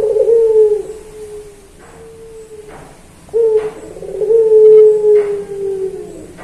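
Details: Puter pelung turtle dove, training recording for songbirds: deep mellow coos held for a second or more and sinking slightly in pitch, interrupted by faint clicking sounds.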